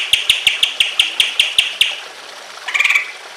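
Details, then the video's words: Training recording of an emotional greater green leafbird meant to prompt other leafbirds to sing, with trickling water: about ten evenly spaced sharp chip notes, then a brief buzzy chatter after a short gap. "BIKIN CUCAK IJO LAIN IKUT BUNYI EMOSI"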